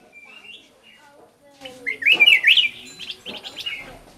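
Black-crested bulbul giving a quick, bubbly burst of warbled notes, rising and falling through a high pitch, after a few soft faint chirps.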